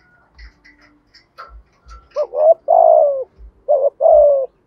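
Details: Faint chirps and clicks give way to a spotted dove's 'giọng thổ' cooing: a stuttering double note, a long steady descending coo, then a second shorter phrase of the same shape.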